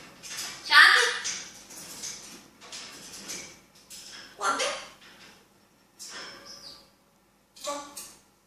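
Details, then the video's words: Grey parrot talking indoors in short, speech-like phrases with squeaky, nasal bursts and brief whistled notes, separated by pauses. "Talking African Grey parrot"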